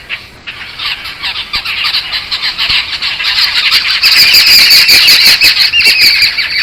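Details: Jungle babbler flock, resident near a Satpura lodge, calling in distress at the sight of the recordist in the first week: rapid grating squawks, about three a second, building from soft to a loud, overlapping chorus.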